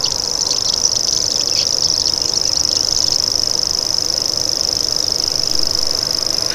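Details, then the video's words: High-pitched, buzzing reel from a common grasshopper warbler, an unbroken insect-like trill sustained throughout, with soft chirps from other birds underneath in the first half. "Common Grasshopper Warbler Call"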